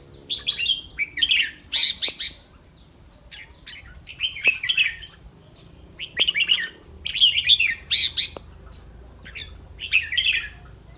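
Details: Caged red-whiskered bulbul in Thailand, kept for song competition and shown live before a contest: short bright warbled phrases in bursts, each a few notes rising and falling, with pauses of a second or two between phrases.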